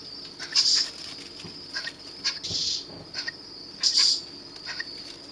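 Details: Three Eurasian scops owlets at the Monte Adone rescue centre, brought in July 2012 after falling when their nest tree was felled: brief breathy hissing bursts every second or so, some longer rasps, over a constant faint high tone.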